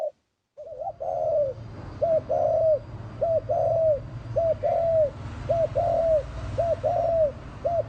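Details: Spotted dove used as a lure bird, calling a steady series of short paired coos, a clipped note then a longer bending one, repeated about once a second over a constant low hum.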